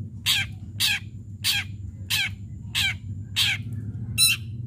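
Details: Long-tailed shrike calling, used as a lure to set other shrikes singing: loud grating harsh notes repeated about every 0.6 seconds, seven in a row, over a low hum.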